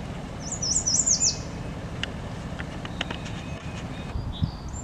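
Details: A quick burst of high, sweet, slurred spring song from an American yellow warbler, under a second long, followed by faint ticks over a steady low rumble of distant traffic or wind.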